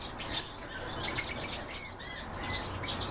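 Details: Goldfinch and canary hybrid singing a continuous run of high, scratchy chirps and twitters with short whistled notes over a steady low background hum.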